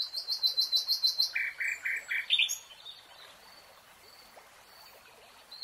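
A common nightingale sings a rapid run of about eight bright, high notes, then a slower phrase of lower, rich notes, fading into a quiet woodland background.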